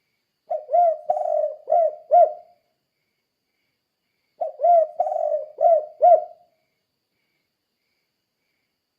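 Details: Spotted dove calling in the "kuk 2" style meant to coax other doves into singing: two four-note phrases of soft low coos, a brief note, a longer slurred one, then two clipped rounded notes, separated by quiet gaps.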